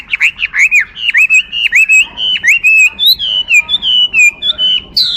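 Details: Chinese hwamei singing a rapid run of loud whistled notes, each slurred down then up, repeated many times in quick succession, then higher sweeping whistles near the end.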